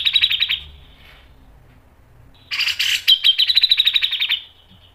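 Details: Grey-cheeked bulbul in full, sharp 'mbeset' and 'nembak' singing used as a tutor and lure. A short burst of fast chirps opens, then a pause. A loud, dense outburst follows and runs into an even train of quick, pulsing notes.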